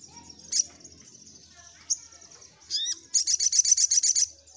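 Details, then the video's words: Little spiderhunter song while seeking a rival: scattered high thin notes and a short slurred phrase, then a fast, loud run of about ten sharp, high chirps. "Suara SogokOntong Gacor Nyecrett Ngeroll Mencari Lawan"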